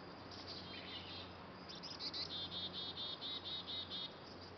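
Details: Two Black-capped Chickadee fledglings leaving their nest box give high, thin, buzzy notes, repeated quickly and growing busier in the second half, over a low steady hum.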